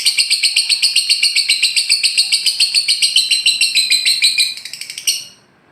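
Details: Lovebird giving a long ngekek, a prompt for caged birds to start singing. A fast, grating series of regular pulses runs for about five seconds, then falters and stops, leaving quiet.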